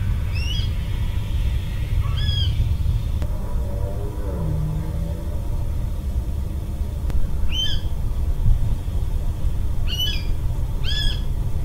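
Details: Calling water rail on 24 December 2021, giving several sharp, curved, squeaky notes singly and in quick pairs, set against constant low-pitched rumbling background noise.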